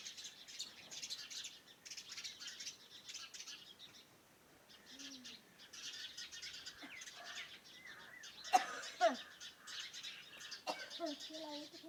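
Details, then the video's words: Morning birdsong around a farmhouse: several birds chirping and trilling together in a dense, overlapping chorus, with a few louder sharp chips and short whistles near the end. "Sounds of birds in the morning around my farm house"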